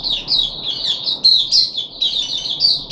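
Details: Short burst from a caged puff-backed bulbul under deworming treatment, 14 July 2021: high, squeaky, slurred notes run together without a break.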